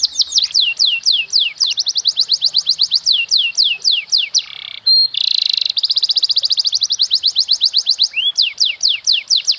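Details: Canary master song, cengkok mewah style for training young birds: long series of descending whistled sweeps, a brief buzzy trill and a steady high rattle, then sweeps resume.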